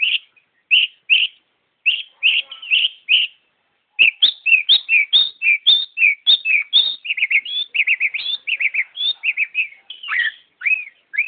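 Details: Long-tailed shrike, a kept songbird in full song: a fast, busy run of short chirps and warbled notes, pausing briefly, then pouring out dense varied phrases without stopping for several seconds.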